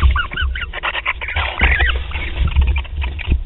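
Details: Barn owls starting courtship at Théding, 28 February 2021: rapid chittering notes with several arched, rising-and-falling chirps packed closely together, over a constant deep background rumble.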